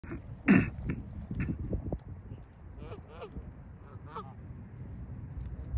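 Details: Canada geese in winter, feeding on dry grass, give a few short nasal honks between about two and four seconds, over a low rumble of background noise and a loud thump near the start.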